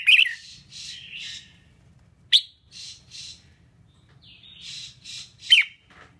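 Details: Singing female red-whiskered bulbul, used to stir males: loud warbled whistles open, then harsh buzzy rasps, a single sharp whistle, more rasps, and a long whistled note ending in a falling slur, over a low hum.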